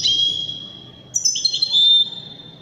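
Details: Singing Widani goldfinch, with a thin high drawn note followed by a fast, bright twittering phrase of clear, ringing notes, above light background noise.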